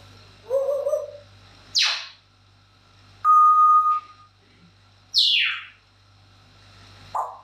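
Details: Pet parrot indoors, said to be singing happy birthday, produces clear whistled notes: a wavering low whistle, fast falling sweeps and one long steady held tone, spaced over several seconds, over a steady electrical hum.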